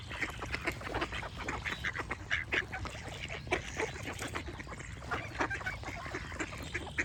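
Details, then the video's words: Dense duck chorus, quacks coming thick and fast in irregular bursts, some louder nasal calls near the middle, set against steady background noise and soft birdsong. "Duck Quack Sound Effect with Birds Chirping"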